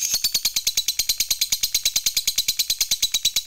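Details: Steady, machine-like lovebird 'ngekek' chatter meant to provoke other lovebirds: evenly spaced high, buzzy chips, about three per second, with no break across the whole stretch.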